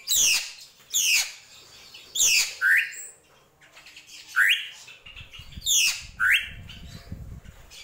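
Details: Drongo, locally srigunting krantil, singing in the gentolang style: harsh descending chattering bursts alternate with short rising whistled notes, phrases roughly every second, quiet background with faint low rumbling near the end.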